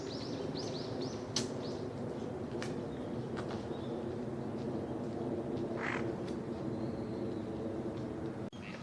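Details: Wintering gadwall ducks at a park pond, Junsai-ike Ryokuchi in Chiba, Japan, November 2025, during courtship display and pair formation; a short nasal call stands out near six seconds amid faint high chirps, a few sharp clicks and steady background rumble.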